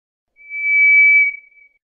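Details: A single drawn-out, pure whistle from a White's thrush, swelling gently and then fading, held on one even high pitch for about a second, with nothing else audible.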